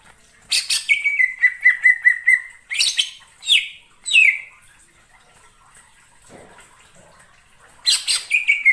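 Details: Greater green leafbird heard wild in forest: a quick stuttering series of notes, then several loud descending slurred calls, a long near-silent stretch with faint background, and a final chattering burst.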